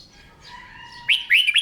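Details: A brief, bright phrase from a red-whiskered bulbul during morning singing practice: three quick, loud, slurred whistles follow faint steady tones.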